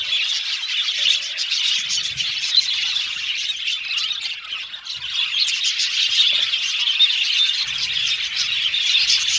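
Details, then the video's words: Aviary colony of budgies chattering together, a steady bed of high scratchy warbling and squawky chirps; the din dips briefly midway, then swells again. "Budgies Singing and Chirping Sound"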